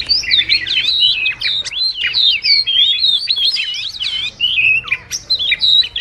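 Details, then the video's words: Wagtail calling to gather its flock, a recording used as a trap lure; a continuous, rapid chatter of twisting whistled notes and slurred chirps, high-pitched and tightly packed, with brief pauses around two and five seconds. "Chim Chìa Vôi líu lo gọi bầy"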